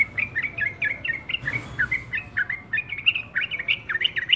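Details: Busy yellow-vented bulbul song, a continuous stream of quick, bubbly chirps and short rising and falling warbles, about four notes per second, briefly broken by a soft rustle.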